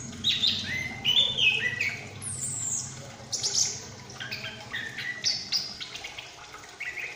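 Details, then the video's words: A young, loose-flying chestnut-capped thrush learning to sing rambles through loose, high whistles and quick sliding notes in an uneven, unsettled run of practice song against a quiet background. "Anis Kembang Ngriwik"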